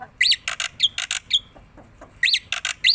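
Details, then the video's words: Harsh rasping bursts alternate with brief arched whistles from a tame black-winged myna bobbing its head as it sings energetically, phrases coming in quick clusters with a short pause midway. "burung jalak putih jinak gacor mangut manggut"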